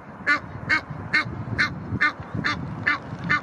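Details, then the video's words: Aggressive Egyptian geese guarding territory in Ludwigshafen am Rhein by the Blies; harsh, nasal honks given at an even pace, about eight in three seconds, above a low background hum. "Aggressive Egyptian Geese defend their territory"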